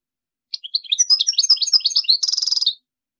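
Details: European goldfinch song: lively, varied tinkling chirps and twitters in quick succession, ending in a dense, buzzy, nasal trill of rapidly repeated notes.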